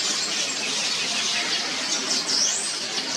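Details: Yellow weaver colony in Mombasa, Kenya, early morning, birds repairing nests and feeding chicks; a constant high squeaky chatter, with a louder rising-and-falling whistled squeal near the end.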